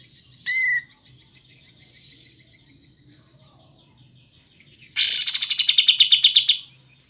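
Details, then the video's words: Faint twittering and a short whistled note lead to a loud kapas tembak, pied triller, phrase: a high sharp start followed by a fast run of pulses that slowly descends and fades. "Masteran Kapas Tembak Jernih Jeda Durasi Panjang"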